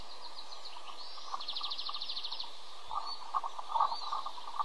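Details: Osprey nestlings beg as the male brings a small fish and feeds them; a quick series of sharp, high repeated chirps lasting about a second, then scattered softer notes over steady background noise.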